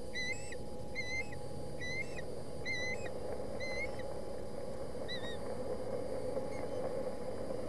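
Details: Osprey chicks in Boulder County, 20 August, battling over a fish at the nest; loud clear whistled upslurred notes about once per second, softening and spacing out later, over low steady hum.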